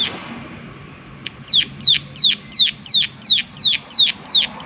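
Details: After a second of near silence, a prinia launches into loud, evenly spaced 'klik' notes, about nine high, sharply descending strokes repeated roughly three times per second, clean against a quiet background.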